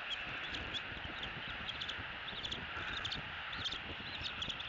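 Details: Two bald eagle eaglets at the end of an evening feeding by their father on a Southwest Florida nest camera, 3 February 2018, begging with high, thin, repeated chirps in quick irregular bursts over a steady background hiss.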